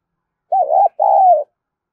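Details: Dong Nai spotted dove giving a lure coo: a warbling double note then a longer smooth coo that sags at the end, crisp and isolated.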